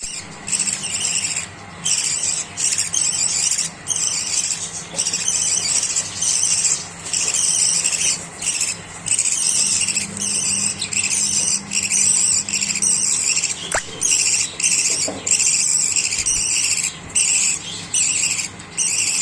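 A flock of budgerigars keeps up constant high, scratchy chirping and warbling chatter.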